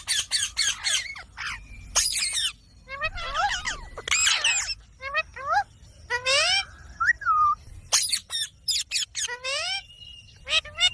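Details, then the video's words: Green talking parrot chattering with dense harsh squawks, rising swooped whistles and warbled voice-like phrases, delivered in uneven bursts over several seconds. "Green Talking Parrot | Cute Parrot Sound"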